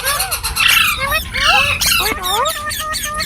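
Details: Green parrots calling with slurred whistles and rough squawks, several birds overlapping, ending in a series of short repeated tonal notes.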